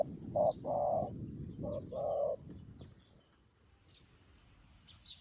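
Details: Newly caught spotted dove kept as a decoy, calling wild doves like an experienced decoy bird; two pairs of low hollow coos, a short note then a longer one, over faint high chirps of small birds.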